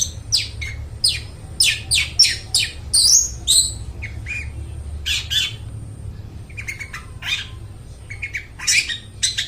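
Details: Long-tailed shrike singing to train mute shrikes: a long varied sequence of harsh squawks, sharp slurred whistles and chattering notes, delivered in irregular bursts with brief pauses, over light background hum.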